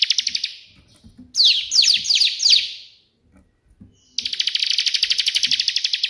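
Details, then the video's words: Bar-winged prinia in energetic 'tembakan' burst song, perenjak putih version: a short chirp run, a few downslurred whistles, a quiet gap, then a dense rapid buzzy trill of high notes to the end. "burung ciblek gacor versi tembakan perenjak putih"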